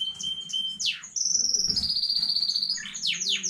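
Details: Singing canary from a new home breeding, dated 15.05.2019: steady high whistles, a downward sweep, then a rapid bubbling trill of even pulses and more quick descending sweeps.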